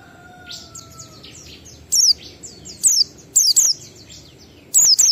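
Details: Oriental white-eye in ngalas song style, 12345 beat, played to coax kept birds into singing: quick clusters of thin, high, falling chirps in short bursts, faint chattering notes in between.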